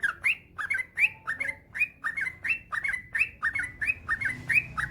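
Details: Yellow-vented bulbul in long rolling 'ropel panjang' song, used as a master recording to wake up lazy singers. Loud, liquid, slurred notes follow each other rapidly and regularly, a few faint thin tones heard between them.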